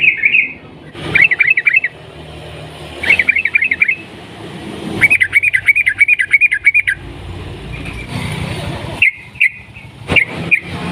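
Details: Sooty-headed bulbul (trucukan) in full long-ropel song, nguklik style, meant to spur other bulbuls to sing: several rapid trilled bursts of sharp bright notes, one lasting about two seconds, separated by quieter gaps and a few single clicks.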